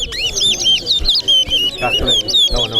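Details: Towa towa seed-finch in a singing competition at Corriverton: a brisk string of clear whistled up-and-down notes, some sharp rising slurs, while spectators talk and count.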